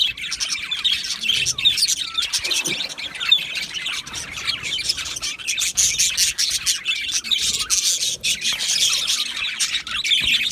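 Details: Aviary colony of budgerigars, 12 July 2025, keeps up steady, busy chatter of high chirps, squawks and warbled notes from many birds throughout, with occasional louder calls standing out.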